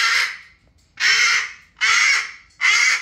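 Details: Pet cockatoo throwing a tantrum indoors at bedtime, refusing to go to bed; loud harsh broadband screams, four in three seconds, each about half a second long, with a woman's voice nearby.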